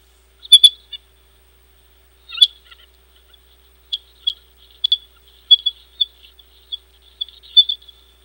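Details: Bald eagle pair at their nest in December, in late morning, arranging sticks and preening: short, sharp, high piping chips in small clusters, scattered across a quiet background.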